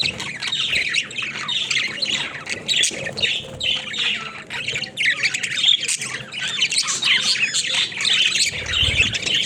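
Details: Budgerigars kept as a caged flock chattering while they play: busy layered squawks, twittering and rasping notes running continuously, with a low thump near the end.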